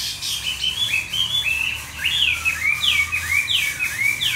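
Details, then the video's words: Tame hwamei kept in a cage in Hanoi, Vietnam, with a forest-style voice: bright whistled notes that slide up and then drop sharply, repeated in quick succession about every half second. "Họa mi 5633b đẹp giọng rừng hay mau mỏ"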